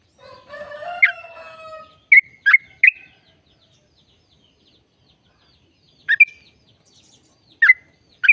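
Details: Sooty-headed bulbul song, used to coax other bulbuls into singing. Starts with a drawn-out, layered tonal sound. Then come bursts of short bubbly notes, a long silence, and more slurred notes with whistled tails.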